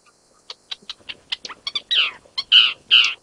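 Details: Isabelline shrike in Jiangjun District, Tainan, Taiwan, on 25 December 2023, the first record for Taiwan's main island, giving a quick run of dry ticking chips, then three harsh, grating notes about half a second apart.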